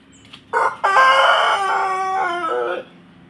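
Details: Crossbred Pelung and Bangkok rooster gives a loud crow: a short opening syllable, then a long, strained, harmonic-rich note held about two seconds that dips lower at the end. Faint background hum.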